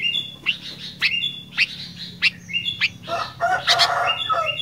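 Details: Sooty-headed bulbul in fighter-style song: repeated rising, whistled chirps about once per second over steady background hum and noise, ending in a harsher, rougher burst.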